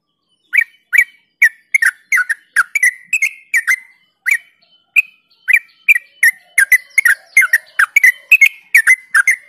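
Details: Trucuk, the yellow-vented bulbul, in a lure song for stimulating other bulbuls: nine seconds of bright, liquid chirping notes in quick succession, some paired, each rising then falling, on a clean quiet background.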